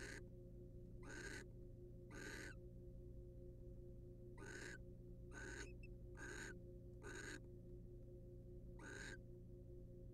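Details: Pair of wild barn owls in a monitored nest box as the male preens the female; coarse hissing screeches come in irregular pairs and singles, with a low steady hum throughout.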